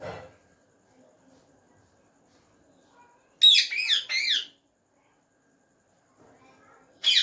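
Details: A hand-tame, talking rose-ringed (ringneck) parakeet says "Mian Mitthu" in Urdu/Hindi: two quick bursts of harsh, high, speech-like chatter lasting about a second, with another brief burst at the end, in a quiet indoor room.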